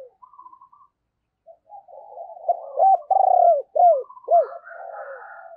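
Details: Spotted dove used as a decoy, cooing ('thúc' and 'gáy') to call in wild doves; faint murmured notes build into a loud run of arched coos with one sustained note, a fainter higher warble behind.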